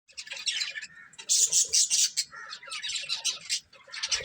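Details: A breeding pair of budgerigars chattering: dense, scratchy high warbles and squeaky chirps run almost without pause, with louder bright bursts around the middle.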